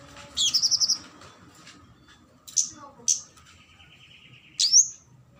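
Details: Flowerpecker, a kemade cabe-cabean lure call used to draw a rival: a rapid high trilled burst, then short sharp high ticks, a steady buzzy mid-pitched tone and a final rising whistled note.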